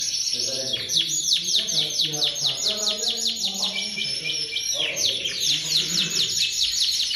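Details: Canary (AOB 23 type) singing a long, fast, high song of rapid chirps and rolling trills, notes repeated more than twice a second; a man talks softly underneath.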